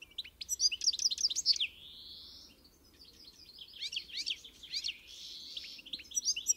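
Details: European goldfinch singing: a run of repeated sharp tinkling notes, then a long drawn buzzy wheeze, followed by more fluid twittering phrases with short pauses.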